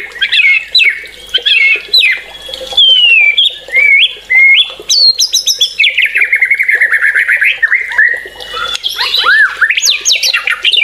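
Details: Loud, energetic white-rumped shama song: crisp rising whistles and chip notes, high buzzy trills, a long rapid stuttering series of notes, then looping swooping whistles near the end, set against a quiet background.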